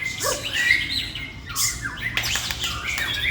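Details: A male white-rumped shama, apparently in a song contest, sings a rich, varied run of loud whistles, rapid chattering trills and harsh buzzy notes, shifting pitch quickly. A man's voice is briefly heard nearby.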